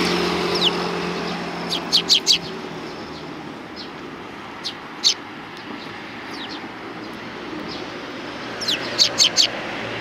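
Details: Sparrows gathering to be fed along the front approach to a Tenmangu shrine, 29 May 2020; short high chirps come in small clusters around two and nine seconds over constant vehicle noise.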